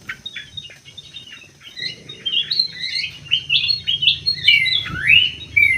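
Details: Starting softly with ticking chips, an aviary greater green leafbird builds into a dense warble of high whistles and twittering, ending with a bold rising slur and long whistle.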